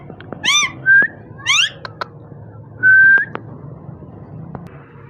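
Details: Parrot vocalising indoors: a clear rising whistle and a flat sustained whistle mixed with short harmonic, wavering squawk-like notes and a few sharp clicks, in a quiet room.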